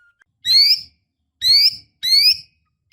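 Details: Female white-rumped shama in breeding condition calling to the male: three bright, rising whistled notes about half a second apart, each slurring upward, in a small indoor space.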